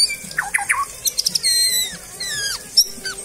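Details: Captive white-rumped shama, kept by a breeder, singing while bathing: varied whistled phrases with rising and falling slurred notes, quick chips and sweeping high whistles, over low background noise.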